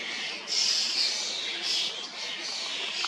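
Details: Hundreds of young and adult common starlings feeding in an old sweet cherry, fledglings begging from adults, Hrodna, western Belarus, early June 2025; loud scratchy, hissing squeals start abruptly, then a dense overlapping rasping wash continues.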